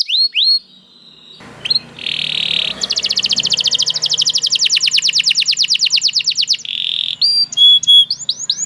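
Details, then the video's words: Canary song: a few high upswept whistled notes, then a buzzy rattle and a long fast trill of rapid repeated notes, a short buzz, and bright chirping notes at the end. "The Lazy Canary Sounds Immediately After Hearing the Sound of the Canary This One || Voice of Canary"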